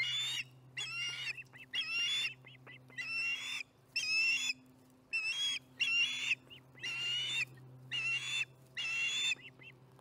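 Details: Osprey at the Charlo nest on July 15, 2019, around 4:30 pm MDT, calling through dinner: series of loud whistled, slightly rising chirps in bursts about once every second, over a steady low electrical hum.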